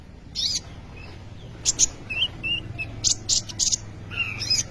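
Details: Sunbird known locally as kolibri ninja, singing vigorously, with the recording used as a lure and tutor for training other birds. Thin, high chirps and short rising whistled notes come in scattered bursts over a low steady hum.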